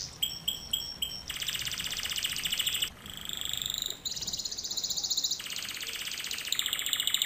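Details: Canary lesson song for canaries to copy: a few sharp clipped notes, then long rolling buzzy trills at shifting pitches, separated by brief pauses.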